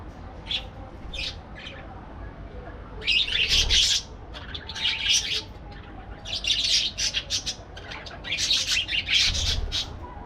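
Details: Parakeets calling in separate loud bursts of rapid, harsh chirping, each lasting about a second, with quieter single chirps between and occasional low thumps.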